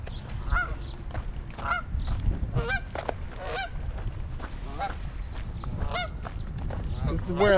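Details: Gang of Canada geese on a Michigan pond in late May 2021, standing in a protective formation around their goslings. Nasal honks repeat roughly once a second over low rumbling background noise, with a man talking.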